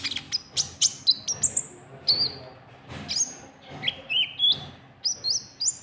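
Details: White-cheeked bulbul lure call used to draw rival birds: sharp high chirps and short whistled notes that rise and slur, delivered in quick irregular bursts with brief gaps.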